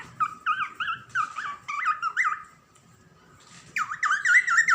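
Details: Female pet cockatiel gives bursts of warbling, rising-and-falling whistled chirps, pausing briefly before a louder final run.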